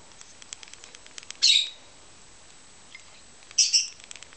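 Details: Pet rosy-faced lovebird fluttering its wings while being hand-fed. Two short, harsh, high squeaks come about two seconds apart, with faint tapping and clicking between them.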